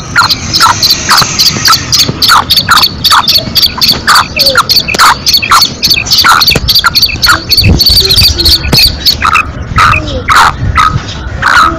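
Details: Female black francolin (kala teetar), lively calling: a fast run of short, harsh, clipped notes, about two per second, with other overlapping calls and faint tonal sounds behind.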